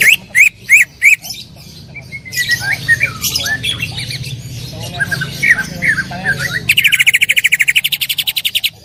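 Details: Greater green leafbird singing loudly with full 'tembakan' bursts, a training recording: several sharp rising whistles, then a varied chattering phrase of slurred notes, closing with a fast, steady rattle of rapid repeated notes.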